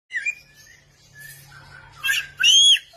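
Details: Samyong singing in full voice with many varied sounds: a high rising whistle, then short chirps and a buzzy burst, and a loud clear upward-curving whistle near the end, with a faint low hum beneath.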